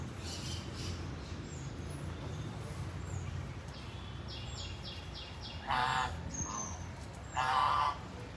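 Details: A goose roaming and walking about gives two nasal honks, each about half a second long and rich in harmonics, spaced roughly one and a half seconds apart, over a steady background rush with faint high chirps.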